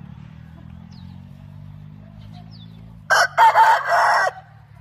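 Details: Rooster crowing: a single loud, harsh, broken crow of several segments lasting about a second, over steady low background rumble.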